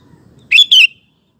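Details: Sooty-headed bulbul lure song to get other males singing; a single strong two-note whistle, rising then descending, with a slightly harsh edge, followed by quiet.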